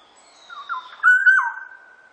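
A black-naped oriole gives a brief, liquid, fluty phrase of mellow whistles that swoop up and down, ending on a long, steady note. No other sounds are heard.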